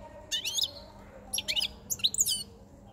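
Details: Caged European goldfinch male with a white chin, taken five months before, singing near spring at breeding-season onset; three short bursts of high, rapid tinkling twitters separated by brief pauses.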